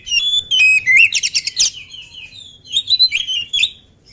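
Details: Oriental magpie-robin, a lively bird not yet fed, singing loud varied song: whistled notes sliding between mid and high pitch, bursts of rapid buzzy trills, pauses between phrases.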